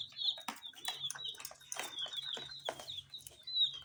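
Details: Small colored domestic chicks feeding on spicy snacks peep continuously in high, thin, downslurred notes, several per second, over sharp clicking and pecking sounds and a faint low hum.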